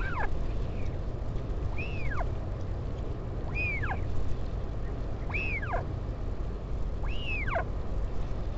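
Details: Northern royal albatross at a wild colony on Taiaroa Head near Dunedin, New Zealand, with a parent visiting its chick on 16 July 2019, filmed by a live webcam. Arched, whining calls rise and then fall, repeated about every 1.7 seconds over strong low wind rumble.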